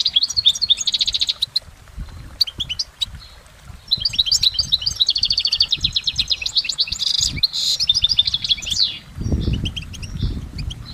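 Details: A goldfinch in nature sings a lengthy layered song: bursts of fast twitters and buzzy trills, a short lull, then sustained tinkling chatter with a soft low thump near the end.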